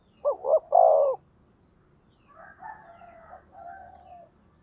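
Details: Spotted dove used as a decoy to stir up rivals: one loud three-part coo, two quick notes and a drawn-out falling one, followed by quieter wavering tones.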